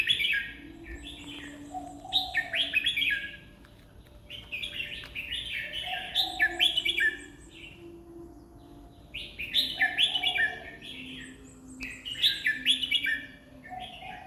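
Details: Red-whiskered bulbul song delivered at about 20 phrases a minute: bright, warbling bursts of chirpy notes, each lasting around a second, grouped in clusters separated by short pauses. Faint low whistles sit underneath.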